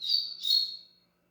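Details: Double-collared seedeater giving two quick high chirped notes, each about a third of a second, slightly slurred and bright, fading out after about one second; no other sounds.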